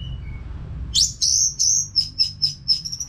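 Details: Orange-headed thrush kept in a cage in North Bali, its song used for training other birds: a quick series of high, thin whistled notes, the first sweeping upward, then evenly spaced sharp strokes, over a faint low hum.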